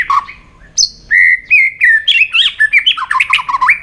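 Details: White-rumped shama in fiery competition song, many voices: a low note and a high squeal lead into a dense, accelerating cascade of bouncing whistled notes that climb and dip in quick succession.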